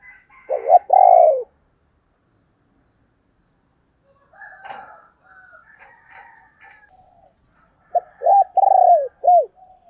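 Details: Female spotted dove singing in the native field-style voice, used to call in wild males: clusters of low hoarse coos at the start and end, separated by quieter scattered higher notes.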